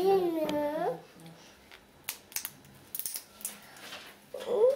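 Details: A pet grey parrot at breakfast gives a wavering, voice-like babble, pauses amid soft crunching and clicks, then starts another short speech-like phrase.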